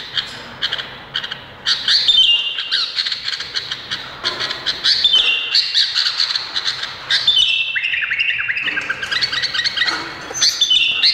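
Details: Harsh, squawky notes blended with whistled slurs and chattering trills from an Indonesian bulbul, sung in long almost unbroken runs with a steady low background hum.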